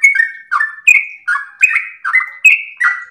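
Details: Sooty-headed bulbul, trucukan, singing for masteran and pancingan use: about eight liquid whistled phrases in three seconds, high and lower tones alternating, with sharp clicks at each note's start.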